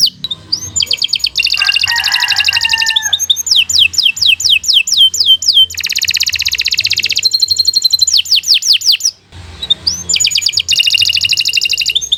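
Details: Canary in full song for tutoring other birds: long rolling trills, fast repeated sweeping notes, a low burry phrase and bright chattering passages with brief pauses.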